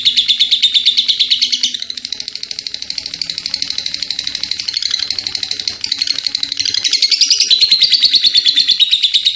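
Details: Lovebird chattering at length in ngekek style: quick rasping pulses that dip softer after two seconds, then build back up and rise slightly near the end; faint low room hum.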